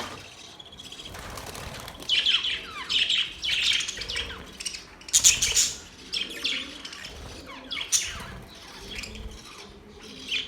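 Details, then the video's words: Several budgies singing in a busy, overlapping chorus of squeaky warbles, rapid chirps and sharp high notes, growing louder midway and continuing steadily to the end. "Budgies sounds | Budgies singing | Budgies chirping sounds"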